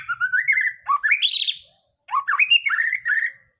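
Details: White-rumped shama song for goading other birds to sing: two phrases of mellow rising whistles climbing to a bright high note, separated by a half-second silence.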